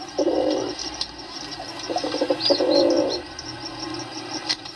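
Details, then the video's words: Low rolling coos from pigeons, one burst early and a longer one in the middle, over steady high twittering and light clicking background noise. "Pigeon sound"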